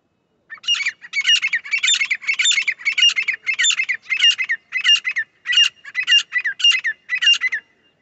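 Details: Grey francolin call, as played to lure birds for trapping: a loud series of about thirteen harsh, ringing, broadband notes, repeated roughly every half second with slightly uneven spacing, over a quiet background.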